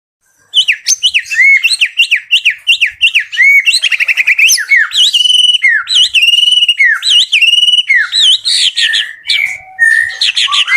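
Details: White-rumped shama in full active song at a bird farm: rapid series of high, sweeping whistled notes repeated in quick runs, then varied warbled phrases with buzzy trills and sharp, clear slurs.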